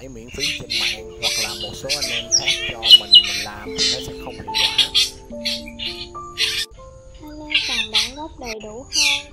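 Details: A Black drongo gives a flock-gathering call used as a lure for trapping migrating birds: harsh, buzzy squawks mixed with sharp chirps in rapid irregular bursts, over a steady electronic hum with some background tones.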